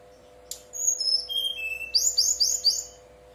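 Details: Brown-chested jungle flycatcher singing in the lively 'nyuling' (flute-like) style, used to prompt other flycatchers to answer and sing. Clear high pure whistles step downward in pitch, then a quick run of bright repeated chirping notes, over a faint steady hum.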